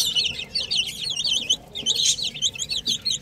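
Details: Buff baby chicks cheeping in a busy chorus, rapid high wavering peeps rising and falling, with a constant low rumbling background.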